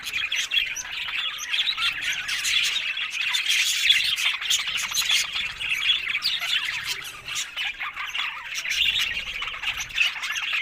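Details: Happy budgerigars chirp and warble together in a steady, crowded babble, with scattered clicking notes across the whole stretch.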